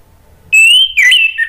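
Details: Orange-headed thrush in ngeplong song, played as a lure for birds that have stopped singing: one long, loud, clear whistle rising slightly, then a dipping, warbled ending.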